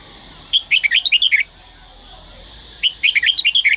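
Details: Daklak red-whiskered bulbul in song training: two rapid whistled phrases, each about eight to nine lively up-and-down notes lasting close to a second, with a pause of over a second between them and steady low hum behind.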